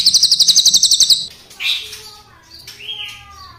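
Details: Crested jay, black and brown forms, giving a short, rapid, clicking rattle of about a second, followed by a few thin, clear whistles, some rising and some level, with quiet background between.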